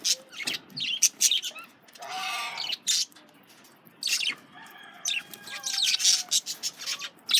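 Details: Male budgies chattering while they eat carrots: quick high chirps and short squeaks, with a brief crunchy rasp midway and a few thin whistled notes.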